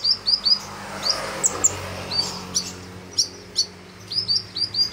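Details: Sunbird known as kolibri ninja singing hard for use as a training recording: quick high squeaky notes in short runs, then scattered sharp chirps, over a low background hum.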